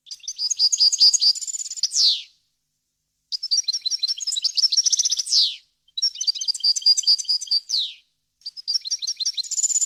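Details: Goldfinch song used to teach chicks and hybrids to sing, varied wild-style language: rapid tinkling twitters and liquid trills in phrases of about two seconds, each closing with a falling buzzy note, then brief silence.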